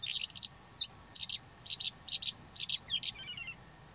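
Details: Calandra lark singing: paired bursts of buzzy, high chirps repeated roughly every half second, ending in a quick trill of thin notes.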